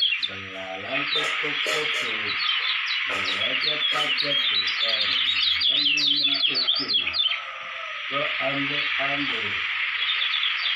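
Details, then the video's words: Lombok white-eye, a prospective contest winner, keeps up a lively high warbling twitter with sharp upswept notes. Choppy low harmonic pulses run below in irregular bursts. "CALON JUARA GANTANGAN KECIAL KUNING LOMBOK"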